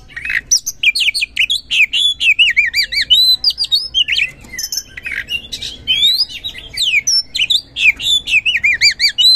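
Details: Nonstop ngeplong-style gacor song of an oriental magpie-robin, a lure for magpie-robins that will not sing: continuous varied whistles, wavering trills and squawky notes delivered in rapid succession throughout.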